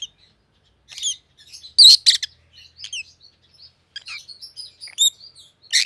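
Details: Two white-headed Rosy-faced lovebirds, an opaline pallid and a green opaline and both siblings, give sharp, high chirps and shrill squeaky calls in irregular, overlapping bursts with quiet gaps between.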